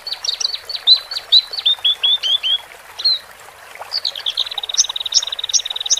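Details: Caged Horsfield's bush larks, male and female, singing to calm birds newly taken from the flock. The song opens with a run of short falling slurred notes, pauses, then breaks into a fast buzzy trill with sharp upslurred notes on top.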